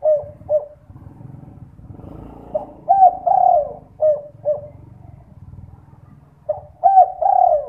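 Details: Spotted dove night lure call to set other doves calling. Short coo notes lead into full phrases of long wavering coos and clipped endings, repeated twice with a low mechanical rumble between them.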